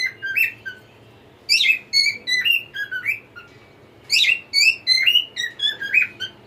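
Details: Cockatiel song: a short whistled fragment, then two full phrases of quick bright whistles that swoop up and down, each phrase about one and a half seconds long with ringing harmonics; steady low hum behind.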